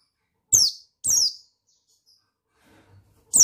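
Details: Male buxtoni white-eye sound used to provoke other white-eyes into singing; two sharp, very high chirps that slide downward, a short pause, then a third chirp at the end.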